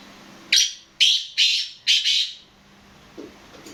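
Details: A kept black francolin calling: four loud, scratchy, high bursts in quick succession, roughly half a second apart, then silence with a faint low sound near the end.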